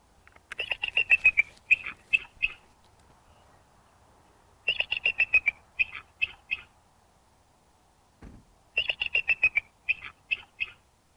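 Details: Bald eagle (Haliaeetus leucocephalus) call, surprisingly weak for its size: thin, high chittering bursts, a quick falling trill, then a few separate piping notes, repeated three times about every four seconds.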